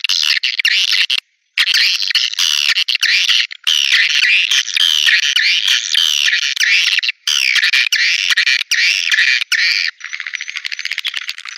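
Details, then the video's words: Swiftlets in a lure recording played to draw birds into swiftlet houses: dense, buzzy, chattering twitters running almost without pause, broken by a few abrupt silent gaps, with a thinner, steadier stretch of chirping near the end. "Suara Walet Panggilan Ampuh"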